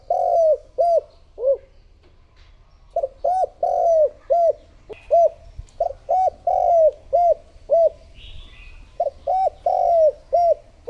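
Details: Spotted dove used as a lure bird to draw in other doves, giving deep hollow coos in phrases of three to four notes, each note dipping then rising, with short pauses between phrases; faint higher chirps from another bird midway.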